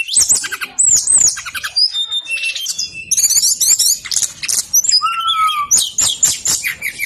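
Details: Brown-chested jungle flycatcher singing tirelessly, a recording to lure other birds into song: mix of high whistles, scratchy chatter and fast trills, plus one lower clear drawn-out whistle toward the end.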